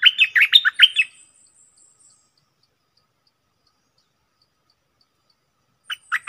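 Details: Decoy red-whiskered bulbul pouring out a rapid run of bright, chattering chirps for about a second, then long silence before two more sharp notes at the very end.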